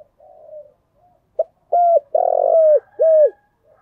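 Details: Spotted dove calling as a trapping lure, full thúc, gù and gáy gọi set: a soft murmured note and a brief click, then three firm coos, the middle one drawn out and sliding down.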